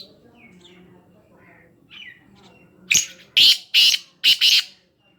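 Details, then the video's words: Black francolin at Khushab giving its harsh call. Faint thin chirps from other birds come first, then a loud burst of grating notes: a short lead note, then rasping paired syllables, about five in quick succession. "kala teeter ki awaz"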